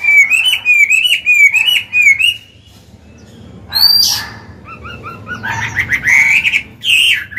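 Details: Forest-voiced mature Chinese hwamei, a caged songbird, used for song training: a rippling run of repeated wavy whistles, a pause, then mixed scratchy notes and rising whistled phrases resuming loudly.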